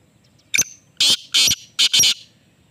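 A Black Francolin gives a harsh, grating phrase: one short note, then four loud rasping notes in quick rhythm over about a second and a half.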